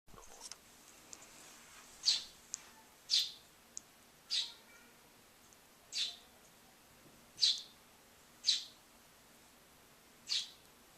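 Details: Baby starling begging for food, conditioned to open its mouth when a door shuts; short high hissy calls repeated about every one to two seconds over a quiet background, with a few faint clicks.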